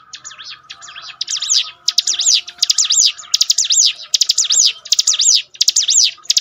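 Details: Bar-winged prinia in training song: softer twitter first, then from about one second a steady run of loud, shrill, arched notes in tight rhythmic bursts, with a faint steady hum underneath.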